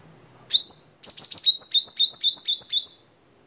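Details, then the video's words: Crimson sunbird of the Vietnam type, recorded as a master song for training cage birds: one thin, high rising chirp, then a quick run of about eight sharp upslurred chirps in two seconds, on a silent background. "Suara Kolibri Sogok Ontong Vietnam Untuk Masteran"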